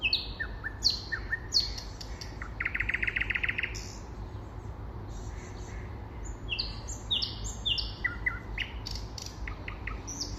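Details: In spring, a common nightingale sings a rich medley of loud high whistles, a buzzy rattling trill and rapid sliding notes, with strong low background hum throughout.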